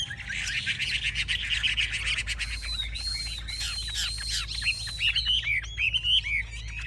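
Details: A caged Chinese hwamei, known as a fierce fighter, displays with raised wings and spread tail. A dense, harsh chattering jumble comes first, then a run of high, ringing, arched whistles and quick slurred notes.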